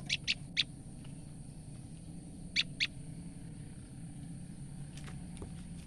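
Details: Female olive-backed tailorbird in alarm from fright, uttering a burst of three sharp high notes, a pause, then two more, over a low droning background.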